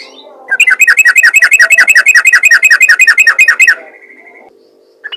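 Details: Yellow-vented bulbul giving a fast 'ropel ngalas' call used to lure other bulbuls: about three seconds of quick, bubbly chattering notes repeated several times a second, then a fading trailing note and a soft hum beneath.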